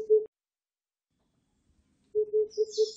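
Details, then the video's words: Oriental cuckoo calling: a single low hollow hoot, a pause of nearly two seconds, then a fast run of five even hoots on one pitch, with a brief high chirp from another bird at the end. "벙어리뻐꾸기, 여러번 듣기, 곤충소리, 새소리"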